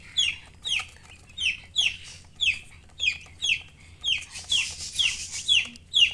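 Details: Young chicks give a steady series of bright, downward-slurred peeps, roughly two each second, with a hissy noise swelling behind the later calls.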